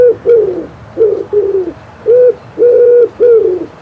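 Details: Common Wood Pigeon in Poland during spring, delivering deep soft coos in a patterned sequence, mixing short falling notes with longer level ones, roughly six to seven notes in under four seconds.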